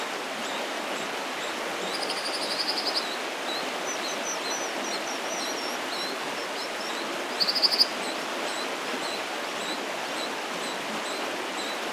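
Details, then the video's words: Four well-grown American Dipper chicks in a nest near fledging, fed by both adults on 30 May 2015, give two short bursts of high, buzzy, rapidly repeated begging notes over the steady rush of a fast stream. "Dipper Chicks being fed"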